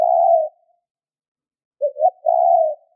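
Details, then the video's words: Cooing spotted dove used for luring wild doves: the tail of one long mellow coo, a pause, then a stuttered pair of short hoots leading into another sustained low coo. "Chim cu gáy gù kích bổi nhanh nổi hiệu quả / Tiếng chim cu nghe là gáy"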